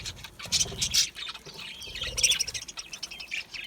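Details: Budgerigars making scratchy high chirps and short squawks, clustered in bursts and then a softer continuous chatter, with low thuds in the background.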